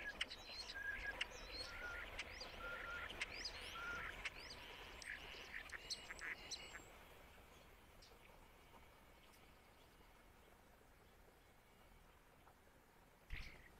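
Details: Starling, male, singing with mimicry of other species: rapid chattering, clicks and short whistled notes for about six seconds, then near silence with a brief noise at the end.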